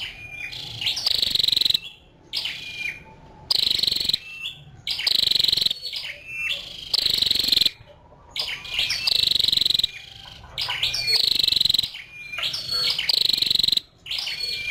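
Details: Female scarlet-backed flowerpecker repeating short harsh, buzzy high-pitched bursts mixed with crisp chips and thin whistled notes, about two bursts every four seconds with brief silences between.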